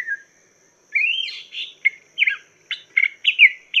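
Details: Chinese hwamei tutor song for cage birds: a brief whistle, a pause, then a long rising note into a rapid string of clipped, buzzy and slurred phrases that quicken toward the end.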